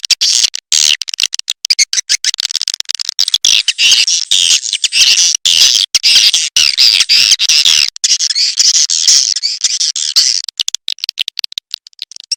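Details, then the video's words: Edible-nest swiftlet call used as a lure through tweeter speakers, heard as a continuous dense buzzy twittering of high chirps, about two per second in stretches, broken by brief gaps and quick rattling notes. "SUARA PANGGIL BURUNG WALET"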